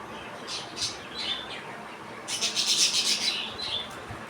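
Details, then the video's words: Baby budgerigars playing outside their cage, talking and sometimes fighting; busy high scratchy warbling and chirps, rising into a dense burst of chatter midway, then softer notes. "Baby Budgies Playing with outside of the cage."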